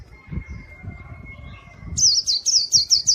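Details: A steady faint thin whistle gives way to a brisk series of six bright, high-pitched chirps from a pleci white-eye singing gacor, meant for luring wild birds.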